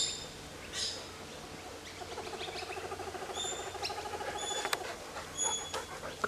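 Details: A laughing kookaburra in an old gum tree in Toowoomba bushland, pestered by two noisy miners, gives a rolling, rapid chuckle of low, pulsing notes that swells midway, while sharp, thin high calls from other birds break in over it.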